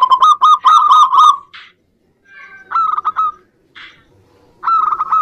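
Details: Zebra dove song used as a prompt for reluctant singers: a brisk run of repeated cooing notes, then softer scattered sounds and silence before a second short rolling burst.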